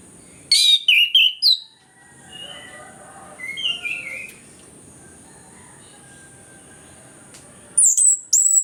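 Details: Orange-headed thrush (anis kembang) lure recording for coaxing quiet birds into song; a burst of sharp high whistled notes, then a long near-silent gap with faint soft phrases, before another loud whistled burst at the end.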